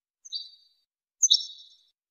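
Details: European goldfinch training song: a softer ringing note followed by a louder, fuller one about one second later, both fading gradually into silence.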